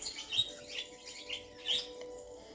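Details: Six pet parakeets indoors, a mix of males and females, chirp faintly in the background, giving a few quick, high, scratchy notes over a steady low hum.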